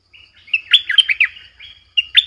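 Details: Lure-bird Streak-eared bulbul calling to draw wild bulbuls: bright, bubbling chirps tumbling in a quick burst of bent, twangy notes, a short pause, then two more sharp notes.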